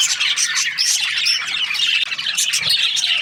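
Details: Budgerigar breeding pairs in full chatter, a thick mix of shrill chirps, squawks and quick warbles, with a short dip in loudness midway.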